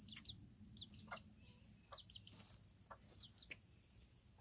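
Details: Serama chickens, among the world's smallest chicken breeds, kept in a coop on a cool Tuesday. Short, high, downward-sweeping chirps come repeatedly over a steady high-pitched hum and low background rumble.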